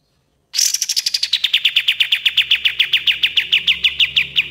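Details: Kapas tembak, or common iora, recorded as training material for other birds: after a brief silence a loud, fast trill bursts in high and quickly drops, then runs on as evenly spaced, sharply descending notes.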